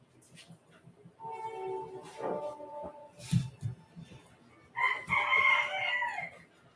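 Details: A bantam rooster, adopted as a chick the year before, gives one loud, high, strained crow lasting over a second near the end, after soft background music and quiet talk.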